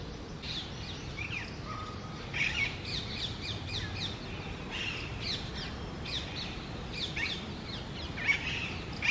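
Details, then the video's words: A female Alexandrine parakeet atop a badam (almond) tree gives harsh, rasping screeches in short bursts, several calls in quick series, over a steady low background rumble. "Alexandrine Parrot Voice | Pahari Tota Natural Sound"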